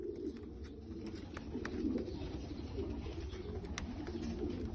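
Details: Bulgarian Abasi pigeon cooing in a small room, steady low murmuring coos running throughout, with occasional sharp clicks and a constant low hum.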